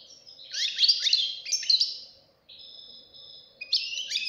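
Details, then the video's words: Singing goldfinch chick: buzzy, rolling twitters followed by a long even drawn-out note and a final bright chirping flourish. "غناء فرخ طائر الحسون"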